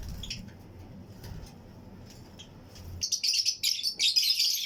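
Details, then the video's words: Fischer's and lutino lovebirds, pairs kept together in a flight colony aviary, chirp among other birds; after three seconds of low hum comes a dense burst of shrill, high chirps. "Fischers & Lutino Colony Chirping Sounds"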